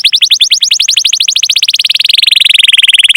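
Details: Canary song, chirping meant to lure other canaries into song: one continuous rapid trill of short repeated notes, speeding up slightly and dropping a little in pitch toward the end.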